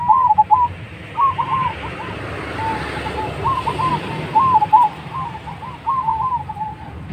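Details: Lure song of a Majapahit zebra dove, strong-voiced, used to prompt other doves to sing: a steady series of bubbling, rolling coo phrases repeated almost without pause over faint background hum.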